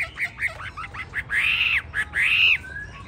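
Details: Hwamei with yellow legs, bill and plumage, called 'tam hoàng', delivers a short burst of quick chirps followed by two drawn-out arched whistles.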